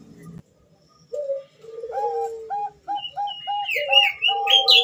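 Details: Bangkok zebra dove hen calling to a male: after a short silence, a drawn-out coo leads into a series of quick, evenly spaced cooing notes, with higher chirping notes from other birds above.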